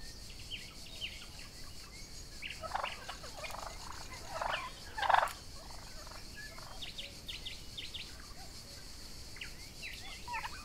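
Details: Young Royal Palm and Broad Breasted White turkeys grazing together outdoors on a summer day, giving scattered short calls with a few louder, harsher bursts midway, over a steady high insect hum.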